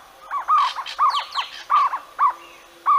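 Jungle owlet giving a run of hollow, mid-pitched barking notes, about two each second, with a fainter higher twittering behind.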